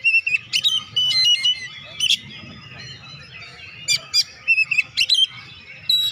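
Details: Oriental magpie-robin singing to rouse lazy birds: clear sustained whistles mixed with sharp, squeaky chips, bursts coming in quick clusters over a low hum.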